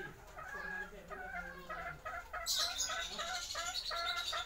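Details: Siam or Bangkok chicken of the original breed, heard as a string of short, rapid, nasal clucks and calls repeated about three times a second, with a burst of hissing, high-pitched noise entering halfway through.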